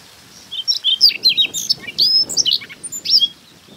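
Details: Wild Siberian rubythroat in early-summer Hokkaido grassland, recorded with a Nikon Coolpix P950: a sustained, fast, high-pitched medley of sharp whistles, chirps and slurred notes, very clear against faint background wind.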